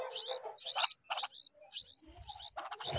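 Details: A bulbul, called a large green insect eater, gives harsh chattering bursts of notes roughly every half second, with a thin steady high whine in the background.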